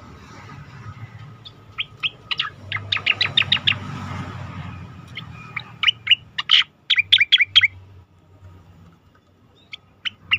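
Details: Training recording of Asian pied starling song for competition birds: a fast run of sharp, clicking chirps, then louder squeaky notes, fading into a quiet stretch.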